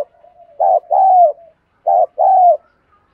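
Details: Decoy spotted dove cooing to draw in wild doves, 'đồng gù đấu thúc' calling. A faint lead-in hum, then two paired phrases, each a brief note and a longer drawn-out coo sliding slightly down.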